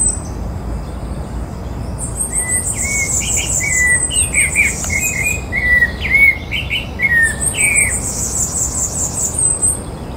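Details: Song of a rufous-bellied thrush in Porto Alegre Botanical Garden, Brazil, 14 October 2017: mellow whistled notes in loose, irregular phrases beneath a dense, high-pitched chattering chorus of other birds or insects that comes and goes.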